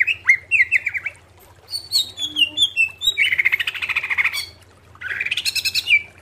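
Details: Greater green leafbird song for training caged birds: quick wavering whistles, a descending series of clear slurred notes, then dense buzzy chattering phrases separated by short pauses, with faint low hum.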